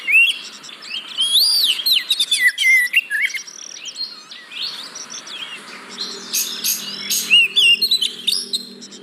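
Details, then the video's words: Song of an oriental magpie-robin used to stir quiet caged birds into singing: varied whistles and chirps, loud burst early, a softer jumbled middle, then sharp high clicks and a looping whistle. "Pancingan Burung Kacer Yang Malas Bunyi"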